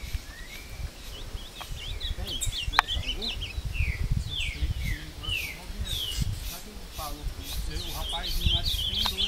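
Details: Ultramarine grosbeak from a breeder, out in the bush of Passos, Minas Gerais, Brazil, singing in a fight with a wild rival; many quick downslurred whistles in bursts, with a man talking underneath.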